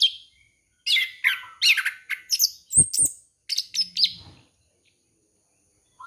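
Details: Orange-headed thrush song played to lure wild birds: a rapid run of loud, varied whistled and buzzy phrases, sharply rising and falling, with brief gaps and a couple of low clicks in between.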